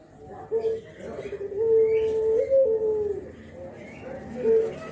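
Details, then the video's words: Spotted dove, Java, nodding as it calls 'kuk geruk' to lure others of its kind: soft short coos around one long steady hooting phrase that drops slightly, ending with another short coo. "KICAU KUK GERUK BURUNG JAWA BRENGGOLO"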